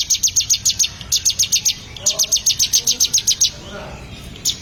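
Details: Bar-winged prinia kept for song training: rapid trains of sharp, high, clipped notes, about eight per second, in bursts of roughly one and a half seconds separated by brief pauses, ending with a short fresh burst; faint low background noise.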